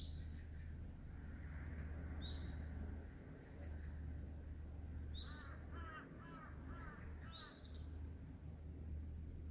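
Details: Crow heard around 5:10 p.m. on 18 August 2022, giving about four rasping caws in quick succession over a steady low hum, with high chirps from an unidentified small bird nearby.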